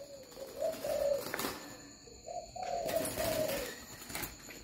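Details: Many captive spotted doves on a farm cooing late at night with lights on, sounding like a beehive: soft, low hooting notes in two phrases, a few quick coos then longer drawn ones, with faint hiss.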